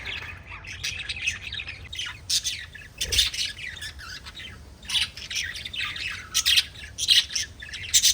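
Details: Chattering pet budgies: dense bursts of high, scratchy warbling and sharp squeaks in uneven clusters, pausing briefly between bursts, with a soft low thump near the midpoint.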